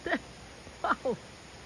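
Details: A group of six to seven great hornbills visiting a backyard on 25 January 2021: three short, loud, harsh barking notes with falling harmonics in quick succession, a person talking excitedly nearby.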